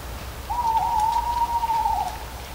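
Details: A single long owl hoot of about one and a half seconds, held on an even mid pitch with a slight downward tail, over a quiet rustling background of falling leaves, from a recording nearly ten years old.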